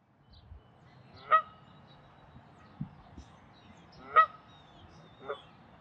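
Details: Canada goose at Wilde Lake, Columbia, Maryland, April 11, 2024, calling in territorial defense: a few loud, separate nasal honks spaced about three seconds apart, with faint low background rumble.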